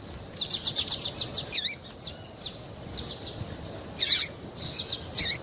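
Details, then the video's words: Female double-collared seedeater calling to excite males into song, as used by tournament breeders; a rapid run of high ticking chirps, then scattered sharp slurred notes and brief bursts with gaps between. "MELHOR PIADO DE FÊMEA PARA DEIXAR SEU PAPA-CAPIM DOIDO PARA CANTAR LOGO!"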